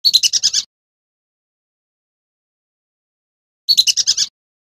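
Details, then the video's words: Clear lure call of a male whistling duck: two quick bursts of about six high, clear whistled notes, each just over half a second long and three seconds apart. "Suara jernih pikat belibis laki"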